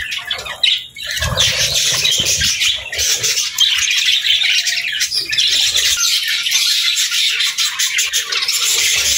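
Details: Budgerigars singing: dense, continuous high warbling chatter with scratchy chirps and squawks overlapping throughout, a brief dip near the first second, faint low thumps underneath.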